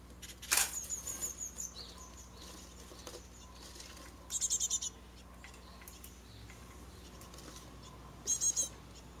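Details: Japanese tit at a garden nest box in a residential area near a mountain village, around the fledging of six chicks, giving high, thin chirps in three short rapid bursts about four seconds apart, against a low steady hum.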